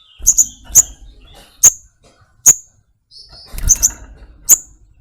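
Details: Brown-throated sunbird (sogok ontong) with short, piercing high chips, some doubled, separated by pauses, alongside soft rustling and a brief burst of low scuffling.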